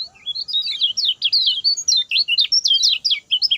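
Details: Lemon-bellied white-eye giving a short, fast 'speed pendek' song used to teach other birds: brisk, evenly spaced high chirps with upward and downward slurs, running unbroken for over three seconds.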